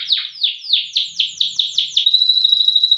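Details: High, loud canary song from a loper bird: eight down-slurred whistled notes about four per second, followed by a fast, even, buzzing trill on one pitch.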